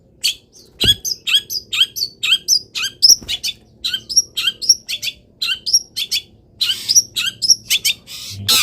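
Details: Caged long-tailed shrike singing happily in morning sun after being misted and uncovered, a full varied song: rapid run of short sharp chirps with rising whistled notes, then harsher buzzy bursts near the end.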